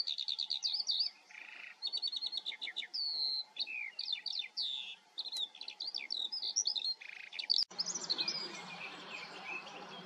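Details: Eurasian skylark filmed in the Eifel, delivering a fast, continuous stream of varied chirps, trills and warbled phrases high in pitch, with brief pauses; near the end the song fades into a broad rushing noise like wind.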